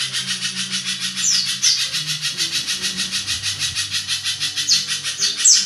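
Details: Spiderhunter (pijantung) singing a long, harsh song, called rough and almost like a kingfisher's, kept as a tutor song for other songbirds; rapid buzzy pulses run on steadily at over one per second, with a few thin squeaks.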